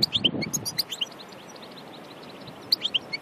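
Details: Wild European goldfinch at Aïn Barbar near Annaba, Algeria: bursts of high, sharp twittering notes at start and end, separated by a quiet pause, with faint low background noise.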